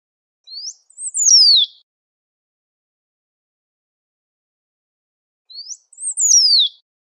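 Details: Great pampa finch in nature, singing and calling persistently. Two identical short phrases about five seconds apart, each a brief rising note followed by a strong whistled slur sweeping steeply downward. No other sounds.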